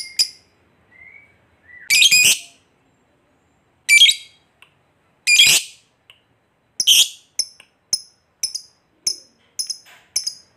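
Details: Fighter lovebird giving a long 'ngekek' trill, meant to provoke other lovebirds into calling. Sharp high chirps and harsh broadband screeches come in irregular bursts, then short bright chirps follow quickly near the end.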